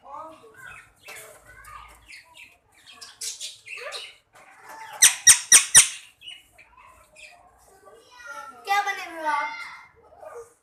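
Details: Indian parrot, a talking bird said to be saying "Mian Mithu", indoors in a small room: a run of varied squawky, voice-like syllables, a burst of four sharp loud notes near the middle, then a rapid chattering phrase, with faint room sounds.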